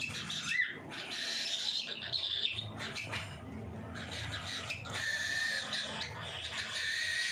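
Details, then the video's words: At feeding time, cockatiels give bursts of raspy, squawking calls with occasional clear whistled notes, pausing briefly between outbursts. "FEEDING TIME COCKATIELS"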